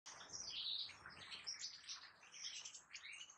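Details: European goldfinch singing, three goldfinch recordings kept by breeders: a dense, rapid twittering of tinkling and buzzy notes, fast trills and liquid chirps running continuously without a pause.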